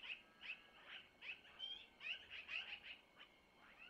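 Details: Young long-eared owls begging at a Missoula nest around 05:05 on 25 April 2024 while the mother feeds them prey brought by the male; short, high, rasping squeals repeat about two or three times a second, irregularly spaced.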